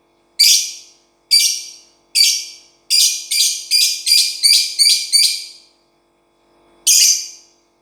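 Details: Uncaged lovebird calling with loud, grating high chirps: three spaced notes, then a fast run of six in quick succession, a pause, and one final chirp.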